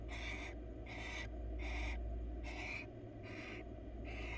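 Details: A wild female barn owl seeking attention in its nest box repeats a harsh wheezing hiss six times, close to once every 0.7 seconds, above a steady low drone.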